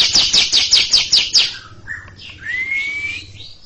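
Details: Caged greater green leafbird chattering long in front of a younger bird: seven fast harsh notes in quick succession, then softer notes and a long rising whistled slur.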